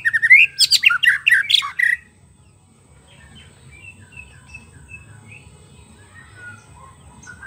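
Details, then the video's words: Wild forest White-rumped shama singing, recorded as a lure to get a silent shama to sing: two seconds of loud, varied whistles and sharp chattering notes, then faint distant whistles over a low hum. "PANCINGAN MURAI BATU MACET BUNYI PANCING DGN SUARA MURAI BATU ASLI SUARA BURUNG HUTAN"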